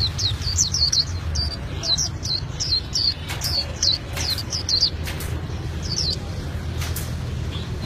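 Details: Albino white-eye singing a lively rolling song: rapid high chirping notes in quick bursts through the first five seconds, then sparser, over steady low rumbling background noise.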